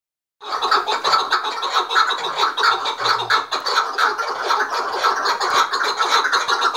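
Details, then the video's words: Five chukar partridges calling together while provoking and fighting one another: a dense, overlapping stream of rapid harsh chuck notes with strong ringing harmonics, kept up without pause after a brief silent start, with a faint low hum now and then. "KEKLİK HENGAMESİ 5 KEKLİK BİRDEN куропатка - اضطراب الحجل - قتال الحجل - صوت الاحتجاج"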